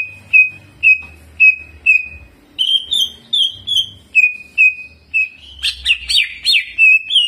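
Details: Caged greater green leafbird in jamtrok song with ciblek mimicry. Short downslurred whistles repeat about every half second, then higher paired notes, ending in a loud burst of sharp, varied chattering phrases.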